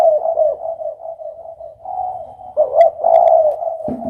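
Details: Spotted dove: soft, continuous low cooing, then a stronger, throaty two-part coo phrase from about two and a half seconds.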